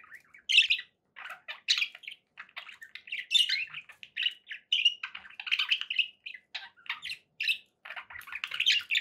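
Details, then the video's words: Pet budgies chirping: a steady run of short, bright, squeaky notes and twittery warbles, closely spaced and varying in pitch throughout. "budgie sounds for pet birds"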